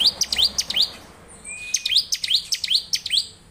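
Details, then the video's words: Rapid Bar-winged prinia song, the bird locally called ciblek: tight clusters of quick falling chips open the phrase. A steady thin whistle follows, then another fast chattering series. "ciblek lain pasti gacor dengan suara ciblek gacor ini"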